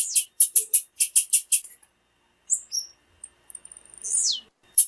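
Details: Female blue-black grassquit call used to stimulate males to sing for competitions: a burst of rapid high buzzy chips, then scattered thin whistles and a long downward-sweeping squeal, in a quiet setting.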